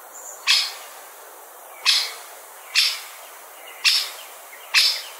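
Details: Great spotted woodpecker (Dendrocopos major) calling: five sharp, high 'tchik' notes, roughly a second apart at an uneven pace, over a quiet background.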